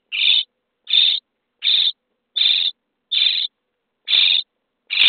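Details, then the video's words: Begging of common starling chicks in a nest box on day 23 during feeding: seven short, scratchy, hissing rasps repeated steadily about every three-quarters of a second. "Szpaki w budce dzień 23 - karmienie piskląt"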